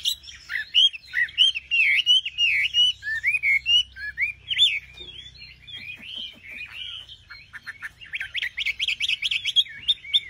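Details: Nightingale in full song: a long stream of varied, looping whistled notes, a softer broken passage in the middle, then a fast, rhythmic trill of repeated notes near the end.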